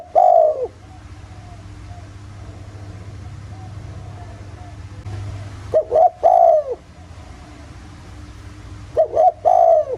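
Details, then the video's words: Repeated spotted dove coos in the 'giọng thổ' voice, used to lure other doves into calling: three hooting phrases, about every three to four seconds, each a short note and a longer one, over a persistent hum. "Tiếng chim cu gáy giọng thổ, kích mồi kích bổi hiệu quả nghe là gáy 100%"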